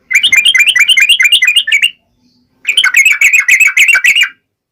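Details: Yellow-vented bulbul ngalas tajam song, aimed at getting other bulbuls to answer: two dense bursts of fast chattering notes separated by a pause of under a second.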